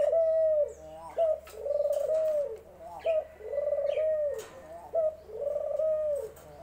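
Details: A dove (ghughu) coos over and over: four soft, hollow phrases at even intervals of about 1.7 seconds. Each phrase is a short lead-in note followed by a sustained low coo, and faint clicks sound in between.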